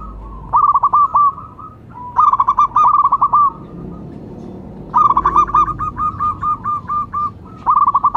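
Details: Perkutut lokal, a local zebra dove used as a lure and to prompt other doves, repeating bursts of fast clipped coos: two short phrases, a longer run of about fifteen notes, then a final rapid burst.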